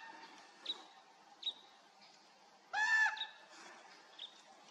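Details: Common raven calling in flight, filmed 30 July 2024: one loud harsh croak with a stacked, nasal tone lasting about half a second, plus a few faint short calls scattered before and after against quiet background.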